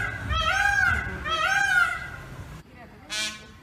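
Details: Peacock calling while it dances: two loud, nasal, arching wails about a second apart, followed by a brief burst of noise.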